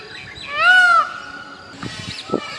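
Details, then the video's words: An Indian peafowl (peacock) gives one loud, nasal, trumpeting wail that arches up and falls away in about half a second, then a faint lingering tone over soft background noises. "Peacock Sounds || Beautiful Peacock Noises"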